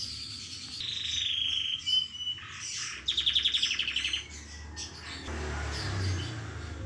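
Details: Canary singing during its moult, plumage untidy: sliding whistled notes lead into a fast, evenly pulsed rattling trill, then softer twitters, with low rumbling noise rising near the end.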